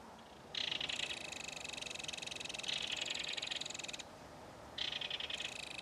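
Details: Adult belted kingfisher and its chick calling back and forth at a mud-bank nest during feeding: harsh, rapidly pulsed rattling chatter in three long bursts, the middle one lasting over a second, with quiet gaps between.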